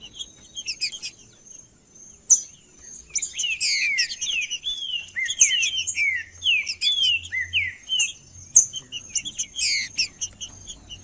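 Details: A green-winged saltator male sings to stir up rival males, giving a run of rapid, rich, slurred whistles in quick succession after a sharp click, over a constant faint high-pitched tone.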